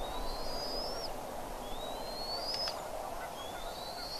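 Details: Bald eagle at a nest in Redding, 25 April 2021, 07:00: three drawn-out, high, slightly rising whistled notes spaced about a second apart, one ending in a brief click, against soft hiss.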